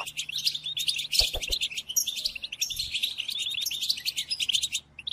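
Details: European goldfinch song used for tutoring captive goldfinches during the moult: fast, continuous twittering of liquid chirps and buzzy trills, high-pitched, with a few brief low thumps just after the first second and a faint steady hum underneath.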